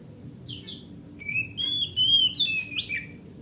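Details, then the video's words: Oriental magpie-robin, forest-type and large-bodied, its song offered as a lure for magpie-robins that stopped singing: buzzy sweeps, then a continuous run of bright whistled notes rising and dropping in pitch, over a faint low hum. "Suara Master Burung Kacer"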